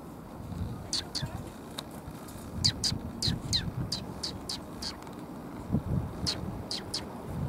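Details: Sparrows, one of them tailless, on a November evening walk home, give short high chirps in irregular bursts, about fifteen over several seconds, some doubled, over low rumbling traffic and wind.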